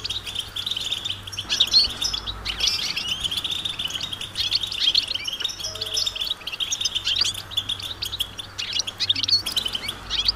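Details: A group of European goldfinches calling outdoors, mating and readiness calls meant to spur silent males into song: continuous high, rapid twittering and tinkling chirps from many birds at once, over a low steady hum.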